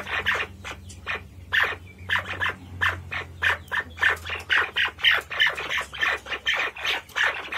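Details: Harsh chattering squawks from a white-faced partridge, short grating notes delivered in irregular bursts that quicken and grow louder toward the end, with a faint low rumble underneath.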